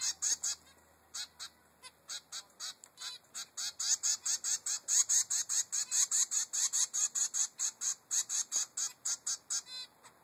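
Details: A 3-week-old male zebra finch begs his mother for food with harsh, high, buzzy notes, about two to three per second in a steady, insistent stream.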